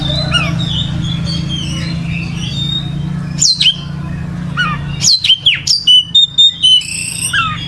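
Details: Gacor-style kacer song from an oriental magpie-robin: soft whistles early over a low hum, then louder steep sweeps and a fast run of short, evenly spaced chirps toward the end.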